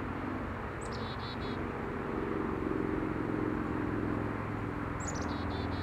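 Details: A young chickadee high in a deciduous tree in a forest in southern British Columbia, Canada, on a sunny warm day, gives two brief series of high, quick notes dropping slightly in pitch, about four seconds apart, over a low traffic rumble.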